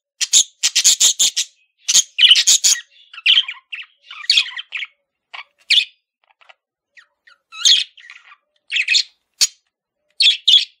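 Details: Male budgerigar kept as a pet bursts into fast, harsh squawks and chatter, then slows to scattered chirps and short warbled notes.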